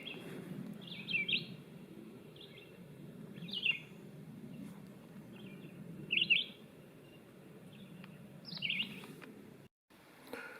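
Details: On a June evening around seven o'clock at a mountain-stream campsite in Rocky Fork State Park, Tennessee, a red-eyed vireo sings short, slurred whistled phrases, each followed by a two-to-three-second pause, over a steady low rush of wind or water.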